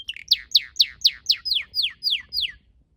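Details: In a garden with purple azaleas, a red canary repeats about nine bright downward-sweeping whistled notes, roughly four per second, before falling silent.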